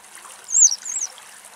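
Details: A barn swallow (Hirundo rustica rustica) sunbathing on warm ground at midday in Greece gives two quick, very high twittering phrases that warble up and down, over a steady soft hiss.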